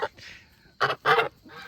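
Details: Honking farm goose from a flock of Chinese and African geese, kept as a sound alarm against predators; two short harsh honks close together after a faint hissy sound, then a soft murmur.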